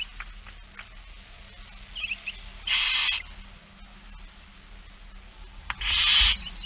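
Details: Young barn owls in It Fryske Gea on 8 September 2019 during a feeding, afternoon: two loud rasping hissed screeches about three seconds apart, with faint softer hisses and clicks before them and a steady low hum.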